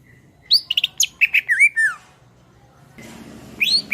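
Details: Cucak ijo, or greater green leafbird, master song: a quick cluster of high chips and twisting whistles followed by a long downslurred note, a pause with hiss, then rising squeaky whistles.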